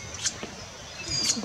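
A Little Spiderhunter gives two sharp, very high, squeaky notes about a second apart, resembling a tailorbird's call, over quiet background noise.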